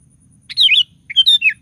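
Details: Lure song of a lively sooty-headed bulbul meant to get other bulbuls singing: a warbled opening phrase, a short pause, then three bright whistled notes ending in a downslur.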